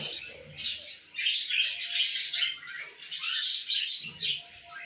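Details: Male budgerigar flirting from its perch on a bathroom shower: continuous chattering warble of quick squeaks, ticks and grating notes, swelling and easing without a break, over faint low background noise.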